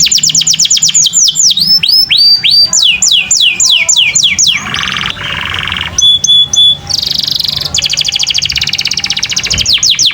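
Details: Canary in continuous loud song, offered as a master recording for training other canaries: fast repeated sweeping notes, rolling trills, buzzy bursts and steady rapid chatter, with a low background hum throughout.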